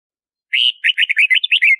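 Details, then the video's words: Red-whiskered bulbul singing a bright phrase: a longer slurred whistle followed by a quick run of about eight chirpy, bubbly notes, evenly spaced, with no other sounds. "Red-whiskered Bulbul Song! Red-whiskered Bulbul Call! Voz!- Bulbul Orfeo Canto"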